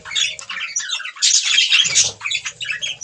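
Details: Budgies eating green food produce rapid squeaky chirps and harsh chatter, about four notes a second, with a louder scratchy burst midway and faint low rumbling.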